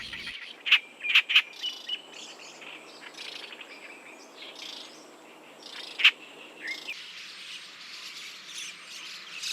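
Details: Oriental reed warbler singing in spring at Jindong-ri, Inje, Gangwon, South Korea, a migrant that breeds there: a few loud, harsh, clipped notes in a quick burst, then one more after a pause, over a steady insect hum.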